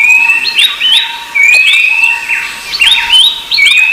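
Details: Noisy Rufous-browed babbler calls sharing the recording with another babbler: clear high whistles that jump upward into curling slurs, coming in quick bursts with short gaps, a faint constant tone underneath.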